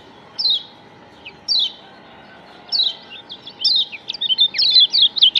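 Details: Kecial kuning, the Lombok white-eye, as a lure: three spaced downslurred high chirps, then an accelerating, busy series of short sweeping notes filling the last two seconds, with a low hum throughout.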